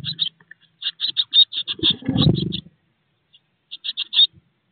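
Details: Eurasian blue tit chicks, 16 days old, in a nest box shortly before fledging; bursts of rapid, high, buzzy begging notes in quick series, pausing then resuming, with a low rustling scuffle midway.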